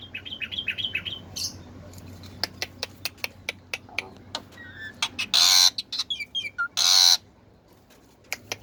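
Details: Black-winged myna singing actively, opening with rapid rising whistles, then a run of dry clicks and two loud harsh rasping bursts, broken by short whistled notes.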